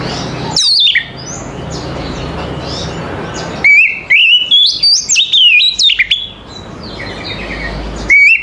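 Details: Morning singing from an Oriental magpie-robin: a brief whistle, a quiet gap with soft background chirps, then a loud run of rising and zigzagging whistled notes before another short phrase.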